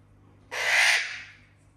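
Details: Captive house parrot making a funny sound for the other parrots: a single loud, harsh, broadband screech starting abruptly and fading over roughly seven tenths of a second.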